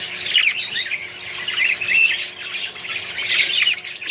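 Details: Budgerigar colony with additional birds: overlapping squawks and warbled chirps, swelling in short bursts roughly every second or two.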